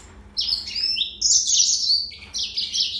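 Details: Continuous high twittering song of a yellow-fronted canary (Serinus mozambicus), a fast jumble of bright trills and slurred notes with barely any break.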